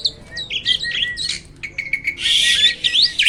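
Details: Black-winged starling, noted as rarely seen in the wild, mixing squeaky slurred whistles and chatter with a steady drawn whistle underneath, ending in a broad harsh rasp and rising squeals.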